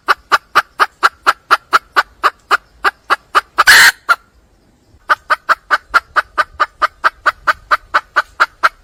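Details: A wild hen of the red junglefowl calls for a male: rapid, regular clucks about four per second, broken by a sudden loud raspy squawk and a second of quiet, then the steady clucking resumes.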